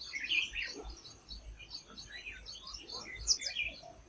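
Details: Tickell's blue flycatcher, an Indian forest bird, heard as scattered high, sharp chirps and short twittering notes over a soft background.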